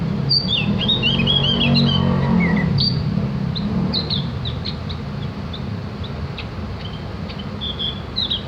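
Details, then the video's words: Javan grey-throated white-eye song used as master audio to train birds to sing along: a busy run of high, quick chirps and twittering notes, then scattered short tweets over a steady low traffic rumble. "masteran burung opior jawa atau cak gentong agar ikut ngriwik dan bunyi"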